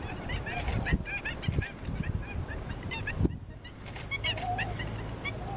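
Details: Cyprus slender-billed gulls produce scattered short, clipped nasal calls from several birds, with a brief quieter gap and low rumbling noise throughout.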